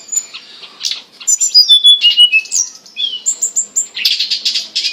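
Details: Hill blue flycatcher song for training captive birds, mixing clean pure whistles, short upslurred notes and harsher buzzy chatter in quick succession.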